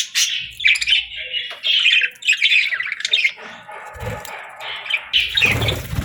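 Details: Parakeets, given as budgerigars, chirp and warble in short bursts of bright, squeaky notes separated by brief lulls, with a low thump or two in the background.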